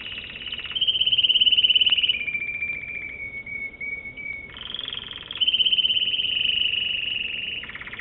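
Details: American Singer canary song: rattling rolls and a bright high trill give way to a gliding, slowly falling whistled tone, then the loud high trill and buzzy roll return.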